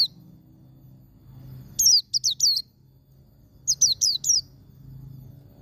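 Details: White-eye giving its wild ngalas song, played to get caged birds singing: two bursts of four quick, high, downward-sweeping notes about two seconds apart, separated by quiet with a faint low hum.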